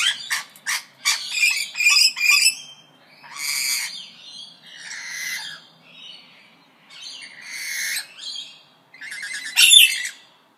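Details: Parrots calling back and forth as if in conversation: harsh, harmonic squawks in quick bursts at first, then longer raspy calls spaced a second or two apart, ending with a loud shrill screech.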